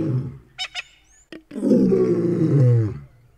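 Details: White-backed vulture in the Greater Kruger National Park: a couple of short rough bursts and a sharp click, then a sustained low, guttural, harmonic growl lasting about one and a half seconds before fading.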